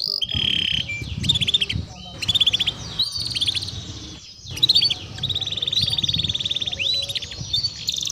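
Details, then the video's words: Timbrado canary singing a melody: long runs of rapid trilled notes near the upper range, broken by short pauses and sharp whistled syllables, with a low background rumble throughout. "Canary Bird Singing Timbrado canary singing beautiful melody"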